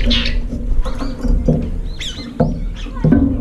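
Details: Late-arriving brown-eared bulbuls jostle over the last food in a feeder bowl; a few sharp, arching squeals sound near the end, set against bumping and low background noise.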